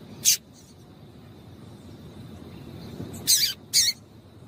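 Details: Female double-collared seedeater calling to excite males into singing: a short sharp high chip, then after a pause two quick bright chips close together, with a faint steady high tone behind.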